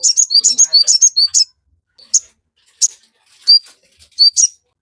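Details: Sogon singing, meant for training caged birds and stirring their mating urge. A rapid run of sharp high chirps opens, then single piercing notes follow at gaps of about a second.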